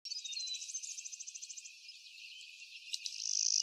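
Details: Clay-colored sparrow gives a high, insect-like buzzy trill of rapid pulses lasting under two seconds, then faint background hiss; recorded 12 May 2023 on McGill Road, Blackman Township, Jackson County, Michigan.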